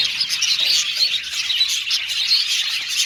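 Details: Aviary budgie colony chattering, rapid bursts of high chirping and short whistled notes rising and falling within a steady buzzy chorus.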